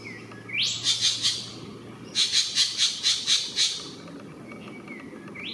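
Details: Spangled drongo calling from treetops in Northern New South Wales, Australia: two bursts of harsh, buzzy, rapidly repeated notes, about five to seven per burst, with a soft low hum in the background.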